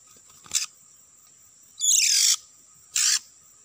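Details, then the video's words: Oriental magpie-robin lure sound, used to trap birds in an oil palm plantation. Three harsh, rasping, noisy bursts, each under half a second, sit over a steady high insect-like whine. "Pikat burung Kacer di kebun sawit"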